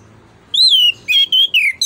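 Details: Orange-headed thrush singing strong, pure whistled notes, one long wavering note followed by several shorter sliding ones, over a low background hum; used as a lure for other birds.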